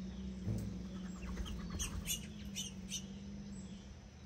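A hummingbird gives thin, high chips, scattered irregularly about half a second apart, over a steady low hum.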